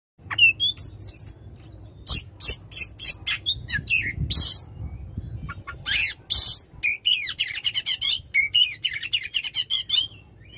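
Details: Oriental magpie-robin singing loudly in long bursts, used to prompt a silent magpie-robin into song; rapid sequence of sharp whistles, buzzy trills and harsh rasping notes, mostly high-pitched, with brief pauses between phrases.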